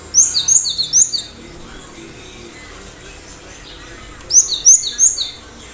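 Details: Cinereous tit song: two bright, high whistled phrases of several fast descending notes, one at the start and one near the end, with a long quiet gap between.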